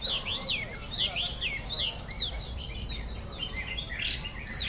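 A Chinese hwamei sings loudly and without pause: rich, varied whistled phrases, quick slurred notes rising and falling, over a low background rumble.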